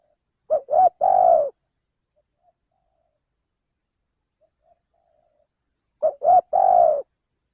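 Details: Lure call of a male spotted dove, used to attract birds: a three-part coo, two quick short notes and a long sustained one, given twice about five seconds apart, with near silence between the phrases.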